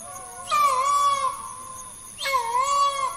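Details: Green peafowl calling: two loud, drawn-out nasal wails with rich harmonics, each lasting about 0.8 seconds and separated by roughly a second and a half, against a quiet background with a steady high hiss.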